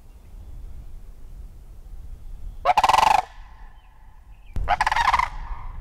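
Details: Two rattling, rolling calls from a sandhill crane, each a burst of quick guttural pulses about half a second long, spaced nearly two seconds apart.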